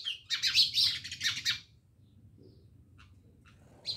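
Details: Many house sparrows near a Jamnagar village house burst into a dense tangle of overlapping chirps, then fall mostly quiet with a low hum beneath.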